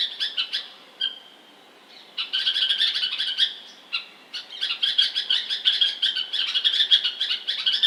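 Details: Bulbul giving a few sharp chirps and a thin drawn-out note, then a short pause before a dense burst of quick, high twittering that runs to the end.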